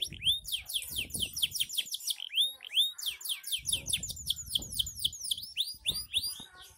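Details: Canary, an F1 bird, singing ngedur, a long unbroken song of quick high swooping whistles and chirps, repeated rapidly in loose rhythm, with faint low background noise.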